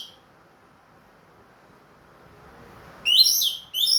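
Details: Orange-headed thrush, Ring Kresek type, kept in captivity and back in song after moulting: after a long quiet pause come two short bursts of bright, varied whistled notes near the end.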